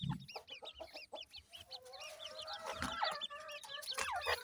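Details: Busy chorus of high, hooked peeps from several grey francolin chicks, with a wavering tone joining midway and scattered knocks.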